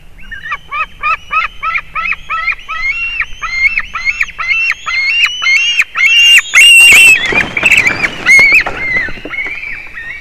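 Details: White-tailed eagle chicks at a Latvian nest on 18 July 2019 while one pushes the other out: rapid series of high, piping, slightly downslurred calls, several per second, rising into loud harsh overlapping squeals near the end.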